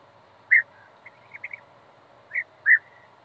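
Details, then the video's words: European bee-eater giving short, liquid, rolling calls around two kilohertz, a few spaced notes with softer chirps between, over a quiet background. "유렵벌잡이새(European bee eater) 입니댜..^^"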